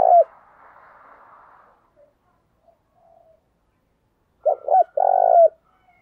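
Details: Spotted dove luring call for drawing in wild doves, in the thúc bổi style. A loud coo opens, a soft hoarse murmur follows, then a loud clipped coo sequence ends with a drawn-out note.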